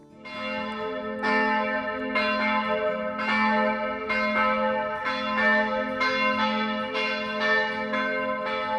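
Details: Bells of a Bergen church in Norway pealing on 28 September, heavy strokes roughly every two seconds over a steady ringing hum, with no animal calls.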